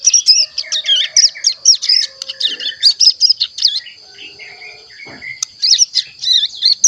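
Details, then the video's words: A young Hill Prinia, about one month old and kept in a cage, twitters in lively bursts of high warbled chirps with short pauses. Softer lower whistles are heard in the background. "Cigun Paud Belajar Bunyi Umur 1 Bulan Lebih Aktif Ngeriwik"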